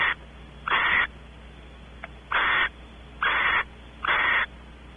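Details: Barn owls, Audubon Starr Ranch, California: the male explores the nest cavity while the female expects mating. Four harsh hisses about a second apart, with one faint click between the first two.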